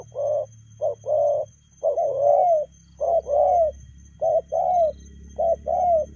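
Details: Spotted dove giving quick 'lèo gù' coos, short then longer falling notes in pairs, repeated about once a second over a low background hum.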